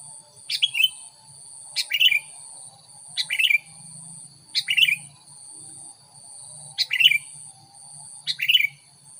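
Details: Lure song of a sooty-headed bulbul meant to draw in wild birds: six brief, lively phrases of sharp chirps sliding downward, spaced one to two seconds apart, against a steady faint electronic-sounding hum.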